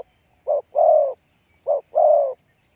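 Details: Spotted dove calling as a decoy to lure wild doves: two low cooing phrases, each a short coo followed by a longer drawn-out, slightly falling coo, about a second apart, in a quiet setting.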